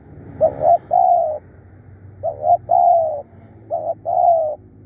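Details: Spotted dove decoy bird, described as fierce and calling tirelessly, gives three low cooing phrases, each a short double coo followed by a longer rolling coo, spaced about a second apart; faint low hum underneath.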